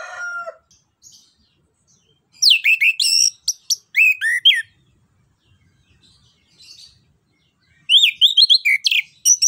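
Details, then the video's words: Orange-headed thrush song used to coax a reluctant bird into singing: bursts of rapid, varied high whistles and chirps, with quiet gaps between phrases. "PANCINGAN JITU ANIS KEMBANG GACOR NGEROL NGEPLONG"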